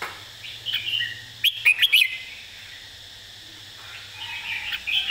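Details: Red-whiskered bulbul easy master song used for bird teaching. Soft warbling surrounds one loud central phrase of four rapid, ringing whistles, and a gentle warble follows at the close.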